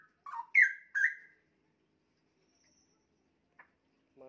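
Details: Young straw-headed bulbul kept in a cage, about a year old, singing from high and low positions: three loud, fluid whistled notes sliding downward, followed by quiet and a few faint clicks.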